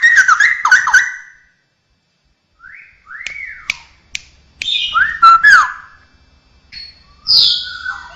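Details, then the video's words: Straw-headed bulbul (cucakrowo) mimicking birds, cats and humans; a quick warbled phrase, a silence, then rising and arched whistles with sharp ticks and a high downslurred note at the end. "suara burung cucakrowo isian dengan suara suara aneh bisa suara burung jenis lain, kucing, manusia"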